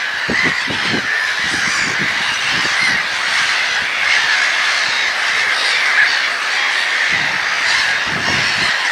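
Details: Gulls calling together as a dense, continuous chorus of overlapping harsh cries, with no pauses. A steady band of sound holds through the whole stretch, and short low pulses stand out now and then.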